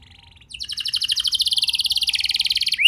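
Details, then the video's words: Canary song used as a lure to get young canaries singing: after a faint opening phrase, a loud, very rapid high trill of repeated syllables runs steadily for over two seconds, ending in a short rising whistle. "Pancingan Burung Kenari Muda! Ampuh Buat Mengatasi Kenari Muda Susah Gacor"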